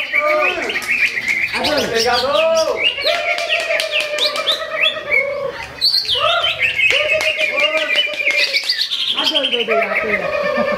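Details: Caged greater green leafbird that won first place at a Ramadan practice bird-singing competition in Sungai Batang Jawai. It delivers loud, continuous song of swooping whistles, quick chattering trills and slurred notes, overlapping with other competing birds.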